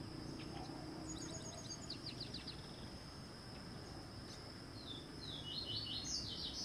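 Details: Yellow-eared woodpecker eating a larva gives quick high chattering notes, first a faint burst of downslurred ticks, then a louder rapid descending series near the end, against a constant high-pitched hiss and low noise.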